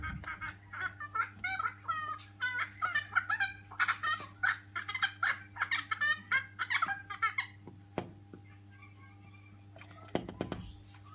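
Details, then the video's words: A colony of noisy friarbirds visits a house to feed on a flowering tree. They give loud, harsh cackling phrases in quick bursts for about seven seconds, then fall quieter, over a steady low hum. "Noisy Friarbird"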